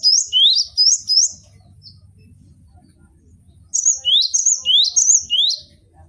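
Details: Tutor song from a caged cinereous tit: three loud rising whistles, a quiet stretch with faint low noise, then a rhythmic series of paired upslurred notes repeating about three per second.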